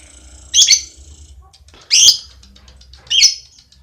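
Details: Lovebird giving a relaxed ngekek chatter: three short, loud, harsh squawky bursts about 1.3 seconds apart, with quiet low hum between them.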